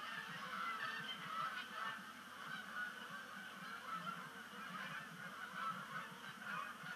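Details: Sunset arrival of migrating Canada geese at Sapsucker Woods Pond, 5 October 2019; many nasal honks layered together, some clearer individual calls rising above the steady flock chatter.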